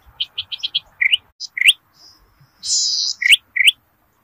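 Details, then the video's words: Zitting cisticola singing actively in rice fields, a lure for catching birds. Soft ticking notes are followed by scattered sharp rising chirps and one loud hissing buzz. "PANCINGAN BURUNG CITRUK/CICI PADI GACOR DI PERSAWAHAN"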